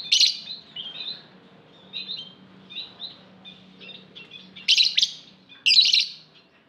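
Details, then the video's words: High, scratchy lovebird chatter: a loud harsh chirp opens, then a series of soft, rapid twittering phrases, ending with two further loud grating chirp bursts about one second apart. "Lovebird Singing Call & Chirping Sounds"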